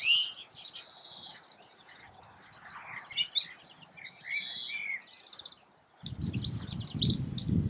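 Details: European goldfinch recorded in May 2016 in Escherange, France, giving liquid twittering phrases and high chirps, interrupted near the end by a burst of loud low rumbling noise.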